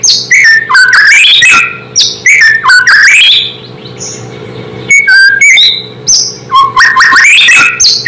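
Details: Song of a White-rumped shama, used to stir other shamas into reacting: rich bursts of rising and falling whistles with sharp chips, broken by short pauses and a softer stretch midway.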